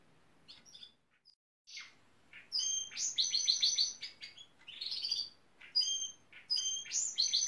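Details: Male Gloster canary said to imitate nearby construction machinery, singing bursts of fast rattling trills and sharp high chirps, repeated with short pauses between phrases.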